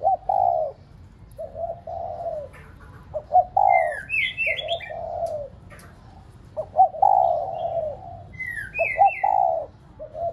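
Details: Lure spotted dove cooing to encourage pet doves: a steady run of low phrases with clipped lead-in notes and longer coos, repeated throughout, while other birds add brief high sliding whistles.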